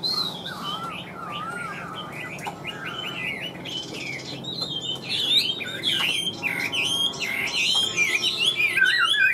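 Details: Chinese hwamei in a cage, large with yellow legs and bill, tail-flicking during a varied song of whistled slurs, trills and rough buzzy notes growing louder toward the end.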